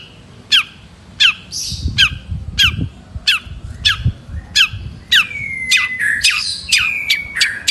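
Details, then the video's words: Long-tailed shrike singing actively: a series of harsh, sharp squawking notes repeated roughly every 0.6 seconds, then a run of clearer whistled and chattering notes toward the end; a faint low rumble sits underneath. "Burung Cendet Gacor"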